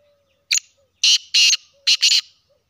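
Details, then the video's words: Black francolin of the Sindhi type calling: one short sharp note, then four loud, harsh, grating bursts in two close pairs over about two seconds, against a quiet background with a faint low hum. "sindhi kala teetar pathy ki awaz"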